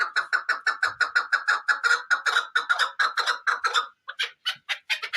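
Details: Chukar partridge delivering a fast, very regular train of about twenty clucking notes, each clipped and even, followed by a short pause and a few harsher, higher notes.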